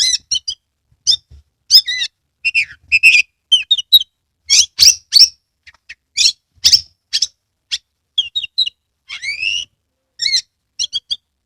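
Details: Oriental magpie-robin, a cage bird from Kebumen, Central Java, in full song with fanned tail; a long energetic medley of chirps, harsh buzzes, trills and an upward-sweeping whistle, almost continuous over several seconds.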